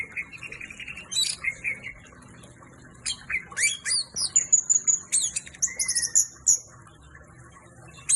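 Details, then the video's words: Energetic orange-headed thrush song: a lower sustained note, then bursts of squeaky, twittering notes, ringing high whistles and a gliding whistle, delivered as dense, jumbled phrases with short gaps. "Anis merah on fire"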